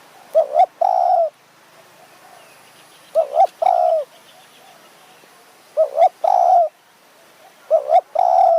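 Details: Spotted dove used as a decoy to lure wild doves in high mountain forest near Kanchanaburi, Thailand; the decoy has a small voice and sharp phrasing. It gives low cooing phrases, two quick notes then a longer drawn coo, repeated about every two and a half seconds.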